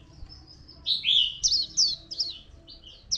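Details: A white-eye in Phu Yen, Vietnam, 2 October 2015, sings a rapid, high twittering warble of short slurred notes, tumbling and sweet, with only faint low background hum.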